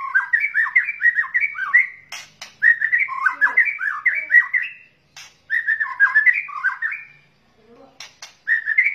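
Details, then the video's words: White-rumped shama lure sound of male and female birds: lively whistled phrases that rise and fall in quick runs, broken by sharp clicks and brief pauses, repeating several times. "SUARA PIKAT KRETEKAN MURAI BATU , TROTOL , JANTAN , BETINA GACOR"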